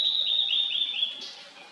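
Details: Blue-and-white flycatcher song from a valley in 2023: a sustained clear whistle with rapid wavering notes, ending in a short buzzy flourish.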